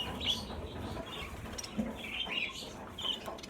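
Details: Flock of budgerigars, around fifty, in a cage during transfer to a bigger flight cage; scattered high chirps and scratchy warbles with fluttering wings and a low hum underneath.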